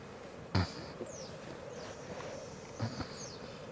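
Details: Black grouse lek at Elverum, Norway, 2008, with 38 males in total: a steady, low bubbling rookoo murmur runs underneath, while brief high, falling whistles and a couple of sharp knocks break in.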